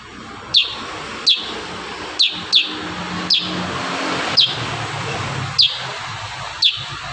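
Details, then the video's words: Kurincang singing in 'tembakan rapat' style, crisp high down-slurred chips repeated about once a second against a loud broad rumble of background noise. "Masteran burung kurincang tembakan rapat"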